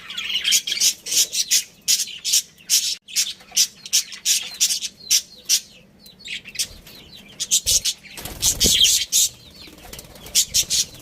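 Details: Budgerigars, a breeding pair with their family, chirp in quick, scratchy, high bursts, roughly two or three each second at an uneven pace, with a louder cluster of chatter near the end and a faint low hum beneath.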